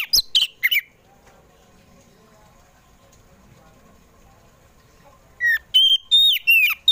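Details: Oriental magpie-robin (kacer poci) singing in the afternoon, used as a lure to get kept magpie-robins to sing: a short burst of sharp chirps, a long quiet gap, then a run of loud clear whistled notes rising and falling.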